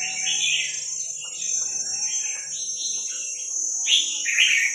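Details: Wild Vietnamese red-whiskered bulbul, recorded for playing to young birds in training: bubbly, warbled phrases in quick succession, with several overlapping voices, over a constant high thin whine throughout.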